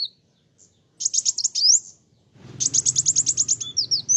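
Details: Sunbird singing loudly and steadily to provoke other birds. Short bursts of high, sharp chirps end in rising whistled slurs. A quiet gap follows, then a longer run of rapid buzzy trills closing in thin upward whistles.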